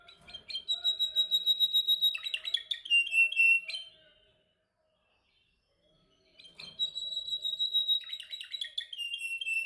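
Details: Canary in song practice, two energetic phrases separated by about two seconds of silence, each a long high whistle followed by quick stuttering trills and a lower rolling warble.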